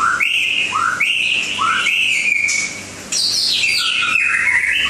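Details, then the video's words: White-rumped shama from Langkawi repeating a rising two-part whistled phrase three times, then a brief pause and a burst of higher, more complex warbled notes. "Burung Murai Batu Langkawi 2"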